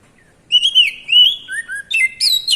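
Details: Oriental magpie-robin (kacer) singing a loud, varied phrase of clear whistles. Slurred notes rise and fall, a lower whistled pair follows, and the phrase ends in quick high twittering flourishes, in a quiet setting.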